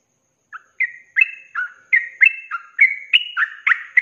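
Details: After a brief silence, a sooty-headed bulbul breaks into ropelan song, recorded for tutoring cage birds: a dozen clear whistled notes, alternating high flat and lower down-slurred notes, about three each second.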